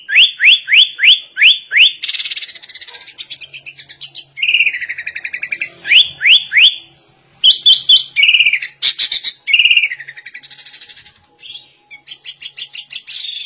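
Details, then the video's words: Sooty-headed bulbul singing a song imitating a white-rumped shama: quick runs of rising whistled upsweeps, then buzzy rattling trills and varied warbled phrases, loud and continuous. "Kutilang Rasa Murai Batu"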